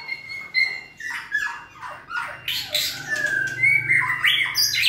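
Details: A white-rumped shama in stamina training sings a fast, varied medley of clear whistled notes, then harsh downslurred squawks and buzzy high phrases run together with little pause.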